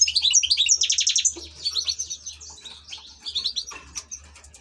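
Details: Ornamental European goldfinch delivering rapid, bright chattering song: a dense run of repeated high twittered notes at the start, then thinner liquid trills and scattered chirps fading toward the end.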